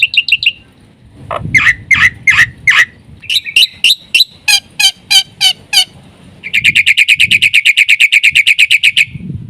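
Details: Black-winged myna in full 'isian' song, meant as a lure and master for other mynas: short whistles, then spaced loud piercing notes, ending in a long rapid chattering trill of bright repeated chirps, with low rumbling behind.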